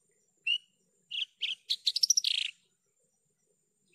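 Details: Javan bush lark, clean lure song: a lone whistled chirp, a few rough chirps, then a quick stuttering cluster of high notes ending in a buzzy slur, followed by silence.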